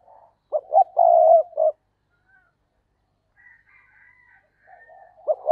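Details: Decoy spotted dove singing to attract other doves, voice style giọng thổ sấm; a phrase of two clipped notes, a long low coo and a closing note, a quiet pause, then the phrase starting again.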